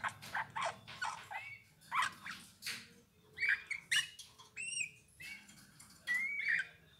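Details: Eurasian bullfinch song of short creaky bursts and clear whistled slides, some rising, delivered in uneven clusters with small gaps.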